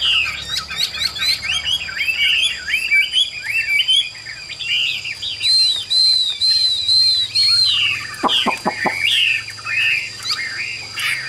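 A Chinese hwamei sings a loud, continuous run of varied rich whistles and rising-falling phrases, with a few sharp clicks midway.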